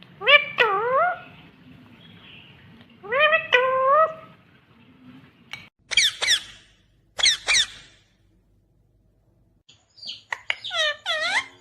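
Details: Rose-ringed parakeet, a ringneck green parrot, vocalizing: groups of rising-falling harmonic squawks and sharp high shrieks in short bursts separated by pauses of one to two seconds, in a quiet setting.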